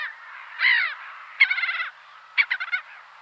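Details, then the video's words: Gull giving three harsh, harmonic calls, each under half a second, the last broken into quick stuttering notes, with a faint background hiss. "GULL SOUNDS - Learn gull | Sound Effects of Gull"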